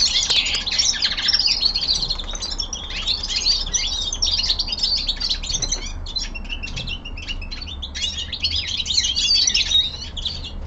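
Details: Caged young male common linnet giving a rapid, continuous twitter of high chirps and short trills, with a brief pause before resuming its warbling phrases.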